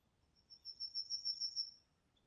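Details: Common kingfisher recorded in Niepołomice Forest, Poland, in July 2020: one piercing, very high whistle lasting about a second, with a slight rapid flutter through it, in an otherwise quiet setting.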